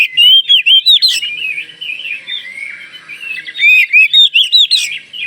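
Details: Vigorous song of a Kalimantan Oriental magpie-robin, used to draw answers from other magpie-robins; bursts of loud, fast, buzzy-edged notes alternate with softer twittering whistles in a varied, continuous stream.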